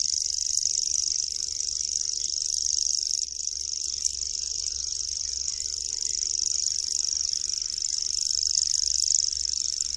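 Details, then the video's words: Common grasshopper warbler (Locustella naevia), a small migratory bird, reeling nonstop: a high, rapid, insect-like trill with no breaks over ten seconds, broken only by occasional faint clicks, above a soft low-frequency background. "Świerszczak. Dźwięki i odgłosy jakie wydaje Świerszczak. Jak robi Świerszczak?"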